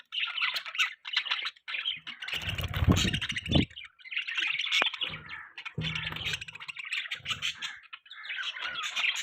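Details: Budgie chirps and scratchy chatter in short bursts, interrupted by louder rustling and knocking noises partway through.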